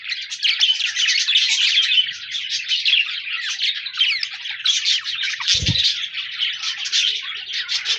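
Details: A group of budgerigars, 14 January 2024, pours out continuous warbling chatter with rising and falling whistled squeaks and rapid chirps, and one low thump midway.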